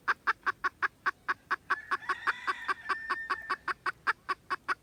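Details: Red junglefowl, 16 December 2021: a continuous train of short clipped clucks at an even pace, with a faint drawn-out tonal call overlapping midway and a steady background hiss.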